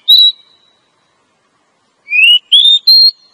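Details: Oriental magpie-robin female, used as a lure to draw in males in forest: one clear level whistle, a long pause, then three whistled notes in a row, the first rising, later ones higher and steadier.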